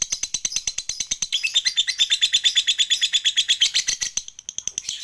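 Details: Lovebird dozing off while chattering, offered as a lure to prompt reluctant lovebirds: a continuous rapid string of shrill, clipped pulses that swells in the middle and fades near the end.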